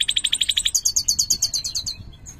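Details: Singing caged European goldfinch, major form with a CB colour mutation: a quick series of repeated pulsed notes switching to a higher, faster trill that fades out.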